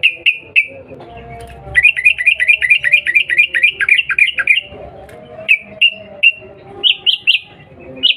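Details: Sooty-headed bulbul calling to provoke a reply: clear high chirps, then a rapid run of about a dozen repeated falling notes, then more spaced chirps and rising notes, with faint low background sounds.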